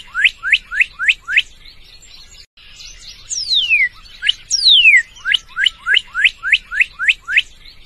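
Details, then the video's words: Northern cardinal (Cardinalis cardinalis) song: quick runs of rising whistled notes at about four per second, broken by two long, loud slurs sweeping down from high to mid pitch. "Canto Cardeal-do-norte"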